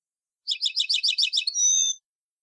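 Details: Tunisian European goldfinch, old tarqa song of the Sahnoun Sfaxi type: a rhythmic series of about eight buzzy high double notes followed by a clear, sustained whistled note, in silence.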